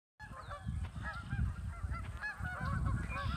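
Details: Geese on the Kanik Nature Trail, several birds giving short, nasal, overlapping honks in quick succession, with a steady low rumble of wind or handling noise underneath.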